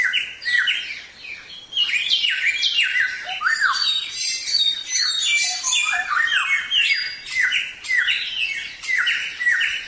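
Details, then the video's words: Vigorous Samyong song meant to teach other songbirds, made of dense layered notes: sharp descending whistles mixed with harsh, buzzy high chatter, steady and loud throughout. "Suara Burung Samyong | Gacor"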